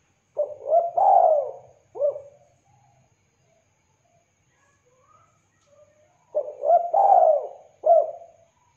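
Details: Spotted dove in full voice, a bird for luring and tutoring, uttering a three-part coo phrase of a short note, long rolling coo and a clipped final note, then a gap with faint distant calls before the phrase repeats.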